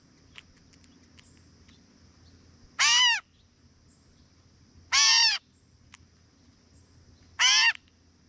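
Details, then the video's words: Three loud, raspy cat-like mews from a gray catbird in a backyard while eating, spaced roughly two and a half seconds apart, against a quiet background with a steady high thin whine and a few faint ticks. "Catbird Call | Gray Catbird Call"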